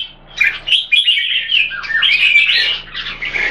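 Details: Caged red-whiskered bulbul in Singapore, one of two compared birds: after a soft start come loud chirps and rolling warbled phrases, some dipping then rising, in a busy continuous stream.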